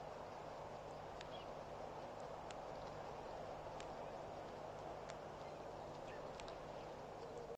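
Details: Metallic clinking calls of a blacksmith plover at Pete's Pond waterhole, Mashatu Game Reserve, Botswana, around 2:04 PM on 20 October 2012; scattered sharp clicks over a steady background rush.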